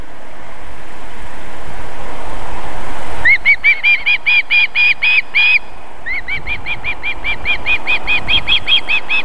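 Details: Osprey, a female feeding chicks at her nest in Võrumaa, South Estonia, 31 July 2021, 19:51; after three seconds of quiet hiss, rapid whistled chirps come in two bursts of evenly spaced notes.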